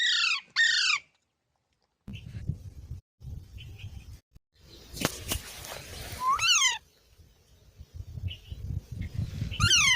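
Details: Parrot giving a pair of harsh descending squawks, then later drawn-out screeches over a steady low rumble and handling noise.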